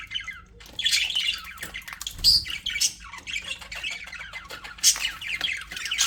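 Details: In an aviary, happy budgerigars chatter in dense high, raspy chirps and squeaky notes, with louder sharp squawks standing out every second or two.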